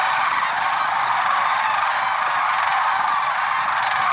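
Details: Early-morning lesser sandhill crane flock at Merced National Wildlife Refuge in February 2023, a continuous chorus of overlapping trumpeting calls, with some higher, arched notes repeating over the din.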